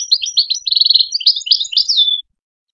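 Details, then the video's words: A wild goldfinch, recorded in 2022 as song for teaching young goldfinches, gives a bright, rapid jumble of twittering and buzzy notes, ending on a thin, drawn-out whistle. "Wild goldfinch song for young goldfinch schooling"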